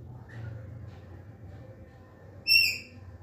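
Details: Green parakeets in a talkative mood give one clear, high, layered whistle late in the clip, after faint quieter notes, with a steady low hum behind.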